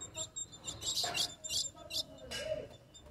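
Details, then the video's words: Young female ultramarine grosbeak, eight months old, soliciting mating: a few short, harsh, high chirping bursts spaced irregularly over about three seconds, over a steady low rumble and faint background murmur. "FÊMEA DE AZULÃO Melhor do Brasil Com apenas 8 Mês Pedindo muita Gala"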